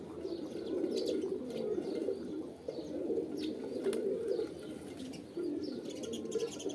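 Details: Low, rumbling pigeon coos come in rolling clusters with a short drop in loudness partway through. Occasional sharp chirps and clicks from other birds.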